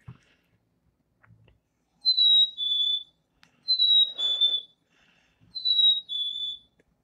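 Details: A Black-capped Chickadee in southern Wisconsin, where it starts singing around February, often with snow still on the ground, sings its clear two-note fee-bee whistle, the second note lower. It sings three times, about every two seconds, with faint room noise between.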